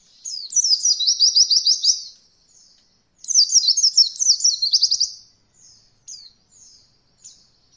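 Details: Oriental white-eye tutor recording for beginner birds learning roll voll: two long, fast rolling bursts of quick repeated chirps, each near two seconds, followed by scattered thin high call notes.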